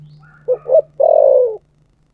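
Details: A thổ sấm-style spotted dove phrase. Two short mellow hoots are followed by a long, flat coo that dips at the end, over a constant low electrical hum.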